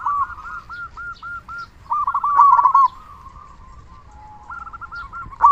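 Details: Zebra dove of local stock, a strong singer used as a model to get lazy doves singing. A soft, evenly spaced series of coos leads into one louder rolling phrase, then fainter cooing continues.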